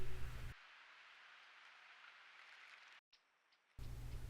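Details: Steady hiss like rain or running water with low rumbling bursts at start and end, and no animal calls.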